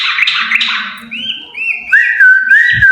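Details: A pair of yellow-vented bulbuls singing loudly: bubbly chatter followed by clear whistled notes around mid pitch, a steady pure whistle with slight wavering toward the end.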